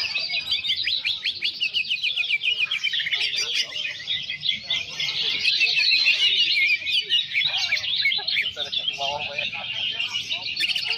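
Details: Caged greater green leafbird in a simulated song contest at a bird-competition ground in Citra Raya, Tangerang, gives continuous, high, rapid chattering song with run-on twittering phrases and mimicked notes, other caged birds singing alongside.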